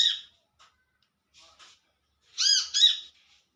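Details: Olive-backed sunbird calling to companions in the wild: faint ticks and chips, then a loud, nasal, rasping double note.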